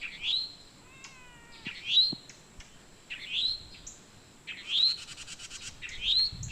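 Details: Towhee giving a mating call: short upward-sweeping chirps repeated about every second and a half. Another bird adds a brief series of falling whistled notes early on, then a rapid buzzy trill near the end.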